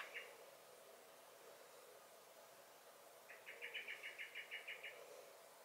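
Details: Garden blackbird, recorded 23 May 2021: a single clipped note, a pause, then a quick run of about a dozen repeated metallic chink alarm notes, fairly faint against a steady background hiss.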